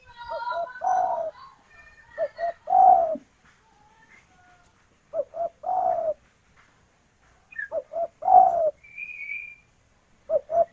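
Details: Female spotted dove calling the male, a local bird: repeated phrases of two brief coos and a longer falling coo, with faint higher chirps and a thin whistle from other birds between phrases.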